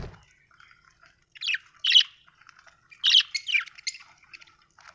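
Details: Happy budgerigar chirping, a few sharp, squawky chirps spaced about a second apart over faint, soft chatter in the background.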